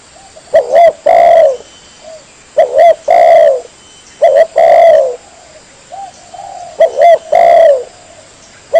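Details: Spotted dove call used as a lure for trapping birds: deep cooing phrases near mid-low pitch, each a short note followed by a longer drawn-out coo, repeated in groups roughly every two seconds, with a faint steady high whine behind.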